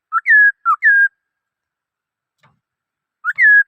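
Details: Black-throated laughingthrush singing loud, clear whistled phrases: a short low note sliding into a longer level whistle, given twice in quick succession, then again after a pause of about two seconds. No other sounds.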